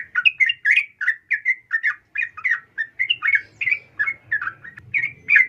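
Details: Female sooty-headed bulbul calling a male, a lure to excite singing males; evenly spaced, short, slurred chirping notes, about three per second, with faint low noise toward the end.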